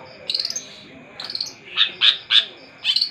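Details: Long-tailed shrike in full voice: a quick stuttering trill, then a few loud, separate chirps with ringing high overtones, each about a quarter second apart.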